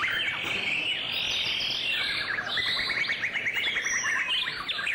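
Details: White-rumped shama in song display: a rapid run of bright whistled notes and sweeping slurs, then a chain of short repeated chips between about one and four thousand cycles, over steady background hiss.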